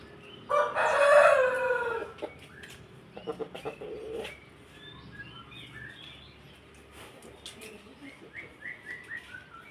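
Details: Pelung chicken crossed with Bangkok chicken, a rooster giving one long drawn-out crow of about a second and a half, followed by clucks, clicks and faint chirping of other birds.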